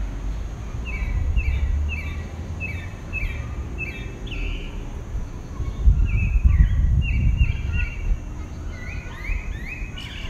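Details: Single pale-breasted thrush in southeastern Brazil at dawn, repeating short doubled whistles in quick runs. A brief break is followed by more rapid doubled notes, with steady low background rumble.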